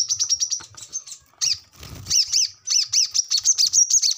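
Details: Brown-throated sunbird chattering in 'ngobra' style to train captive birds: quick high chips mixed with lower, arched, slurred notes in short clusters, with a brief rustling noise in the middle.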